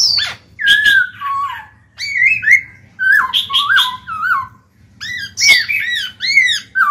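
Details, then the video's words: In a cage, a black-throated laughingthrush sings to stimulate other birds: a lively mix of loud slurred whistles, descending glides and choppy arching notes, in phrases separated by brief pauses. "Khiếu bạc má chuyền hót kích bổi mở mỏ ngay."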